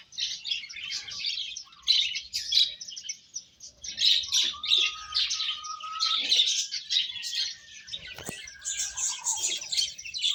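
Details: Feeding chicken chicks make a long, dense chorus of thin high cheeps in clustered bursts. A lower whistled line and a sharp click or knock are heard partway through.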